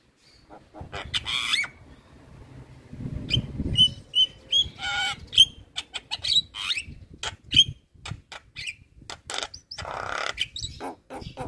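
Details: Masteran of a gacor jalak kebo (Javan myna) for training songbirds: scratchy clicks and chatter with short clear whistles repeated near the middle, over low background rumble.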